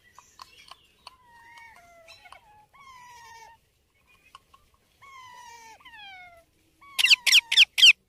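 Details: Baby Indian ringneck parakeet calling: thin, whistled notes that slide downward, some wavering, given in short bursts separated by pauses, then four loud, harsh, rasping squawks in quick succession near the end. Quiet background.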